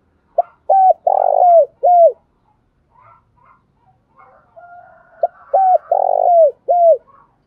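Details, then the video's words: Spotted dove lure bird calling in the morning, described as having a responsive voice: two phrases of four low coos, short notes around a longer rough middle coo with falling ends, separated by soft quiet notes. "Tiếng chim cu gáy mồi gáy gọi buổi sáng giọng nhạy bổi"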